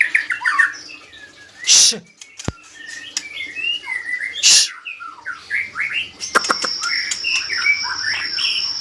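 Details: White-rumped shama, called murai medan, singing a varied run of short whistled and chirped notes, rising and falling phrases with sharp clicks and a few loud broadband bursts; a steady high tone runs through the second half.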